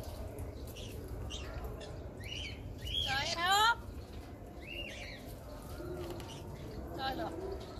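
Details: Pet African grey parrot talking non-stop: short speech-like phrases, then one loud whistled sweep that rises and falls near the middle, and more soft chatter after it over a faint room hiss.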